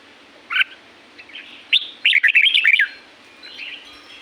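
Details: Wild red-whiskered bulbul of the La-u forest, Thailand, giving a short chirp, then a hurried, rolling phrase of liquid warbled notes, with faint softer whistles before and after.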